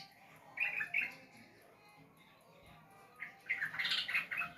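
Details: Sooty-headed bulbul giving two quick whistled notes, then a quiet gap before a burst of bubbly chattering warble.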